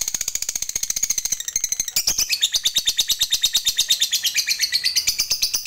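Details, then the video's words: Lovebird sound used as a lure to make other lovebirds sing, in the long 'ngekek' style kept birds are prized for. A rapid, shrill chattering trill of about three notes a second runs without a break and climbs slightly in pitch. "PAKAI PANCINGAN SUARA LOVEBIRD INI AJA, AGAR LABETMU JADI FIGHTER DAN TAK LAGI MALAS BUNYI"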